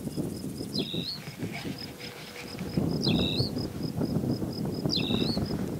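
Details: Tawny pipit (Anthus campestris) calling at Serra do Suído: three short, sharp down-slurred chirps about two seconds apart, over a steady high pulsing insect trill and low wind rumble.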